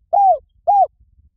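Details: Spotted dove call used to lure wild doves: two clear, arched coos, each rising slightly then falling, evenly spaced about half a second apart, with a quiet background.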